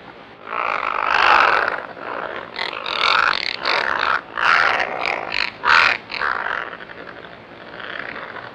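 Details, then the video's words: Razorbill (Alca torda) call: deep, harsh, growling grunts, a long rasping groan followed by about half a dozen short creaking bursts over eight seconds. "razorbill facts 🦆 razor-billed auk facts 🦆 lesser auk facts 🦆 calling sound music 🎶"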